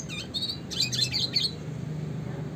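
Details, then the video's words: Singing classic red siskin, recorded as training material for songbirds: a short, quick string of high twittering notes and buzzy trills lasting about one and a half seconds, then only a low hum. "kicauan suara burung red siskin klasik gacor"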